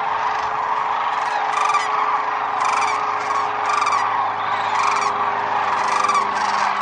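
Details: At Whitewater Draw Wildlife Area in Arizona, wintering sandhill cranes utter repeated loud, rolling, rattled bugles in irregular bursts about once a second, backed by a dense murmur of countless other cranes.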